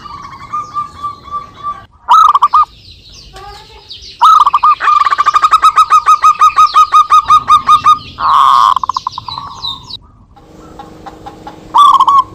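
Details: Zebra doves of a local strain calling back and forth for luring: several rapid runs of staccato coos, including one long series of some twenty evenly spaced notes, with overlapping phrases from more than one bird.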